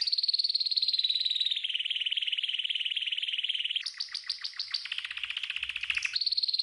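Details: Training song from a green canary: a long even rolling trill that dips slightly, then sharp descending clicked notes and a buzzy burst before the trill resumes.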